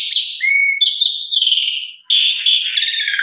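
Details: Asian pied starling lure song for prompting jalak suren to sing: a buzzy opening, a pure level whistle, then rough warbling phrases, a short pause and more grating, blended notes.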